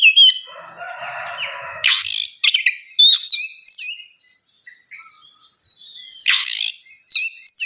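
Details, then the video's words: White-rumped shama song played to encourage a quiet bird to sing: whistled notes mixed with harsh scratchy bursts and a soft chattering passage, with short pauses between phrases. "terapi kacer ngeplong santai, pancingankacer bahan malas bunyi supaya cepat nyaut gacor"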